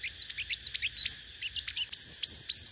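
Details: Five-coloured sunbird competitive singing for a loudspeaker lure: a jumble of quick high chirps and twitters, ending in three loud, bright upslurred notes.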